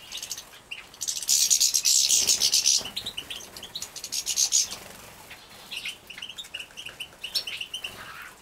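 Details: Captive-bred young European goldfinches at feeding time, Poland 2017: a loud buzzy hissing burst of begging from the nestlings, then scattered high tweets and short chirps from several birds.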